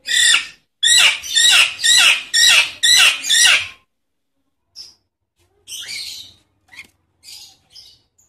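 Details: Lure call of the Nias hill myna, used to get silent mynas singing. Seven loud, harsh, downslurred squawks come in a steady series about twice a second, followed by softer scattered chirps and a brief rasp.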